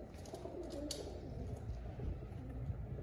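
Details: Pigeons cooing in soft, low, throaty murmurs that overlap one another over a steady low rumble.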